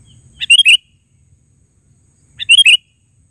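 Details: Sooty-headed bulbul, gacor natural call: two clear, liquid three-note phrases about two seconds apart, nearly clean with little background.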